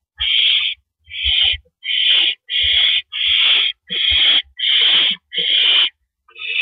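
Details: Barn owl nest, evening of April 9, 2012, with the male delivering a rodent. A rapid run of about eight grating hiss-screeches, roughly one every three quarters of a second, over faint thumping movement.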